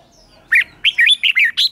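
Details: Morning song training of a red-whiskered bulbul in the 'chè' style: a quick run of loud, slurred, bubbling whistled notes, five or six in under 1.5 seconds.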